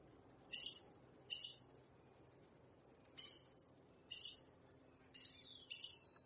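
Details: Red-necked aracari, Pteroglossus bitorquatus, giving short harsh squeaky notes in separate bursts, about six calls spread irregularly over six seconds, some doubled, with faint background hiss.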